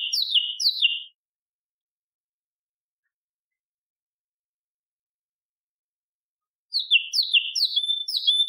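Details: Bulbul song played as a training recording for contest birds: a short burst of rapid, sharp, high chirping notes, a long silence, then another fast run of bright clipped notes.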